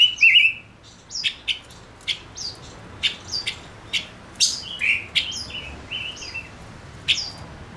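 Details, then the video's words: Singing male silver-eared mesia kept as a decoy: an opening wavering whistle followed by a long irregular series of crisp chirps and short slurred notes. "Chim ngũ sắc mồi hót cực hay kích bổi nhanh nổi | chim ngũ sắc hót | ngũ sắc trống"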